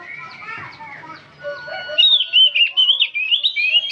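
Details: Old oriental magpie-robin in nonstop song; after a muffled lower-pitched start, a clear stream of rapid whistled, warbling notes at high pitch fills the second half.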